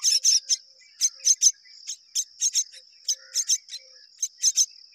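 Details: Two mynas rearing young together; clusters of sharp, high, scratchy chirps come in irregular bursts of one to three, separated by short pauses, over a continuous thin high whine.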